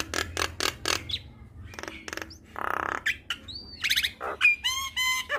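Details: Full song of a Javan myna, meant to set other mynas singing. Dry rasping clicks repeat quickly, then come a harsh buzz, a bright whistle and a closing run of stacked nasal notes.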